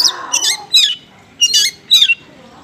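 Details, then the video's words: Lure song of an oriental magpie-robin, konslet style with small-bird material: a few harsh, grating, squawky bursts separated by short pauses, sung over a low background hiss. "PANCINGAN KACER KONSLET MATERI BURUNG KECIL"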